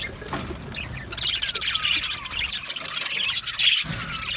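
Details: Happy budgerigar colony in an aviary: overlapping chirps, squawks and a few sliding whistles, the high chatter rising to a louder burst near the end.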